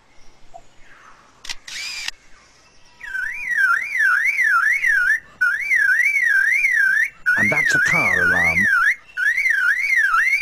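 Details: A male lyrebird in forest, out-singing rivals, mimics mechanical sounds: quick camera-shutter clicks, then a loud, wavering car-alarm siren repeated in long bursts. A man's narration and soft music sit underneath.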